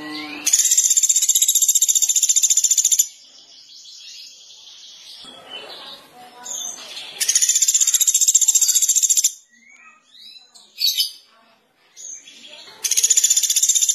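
Sunda pygmy woodpecker gives long, high, buzzy rattling trills about three seconds long, separated by stretches of softer, scattered chirps and rustles.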